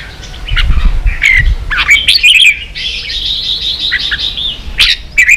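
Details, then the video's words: Red-whiskered bulbul singing 'ché' song to teach young birds; harsh squawky notes mixed with rising whistles, then a long buzzy, wavering sustained phrase and a final sharp note, over faint low thumps. "luyện chào mào ché.kích chào nào hót ché căng lửa.kich chao mao boi hot เสียงฝึกลูกนก | นกปรอดหัวโขน"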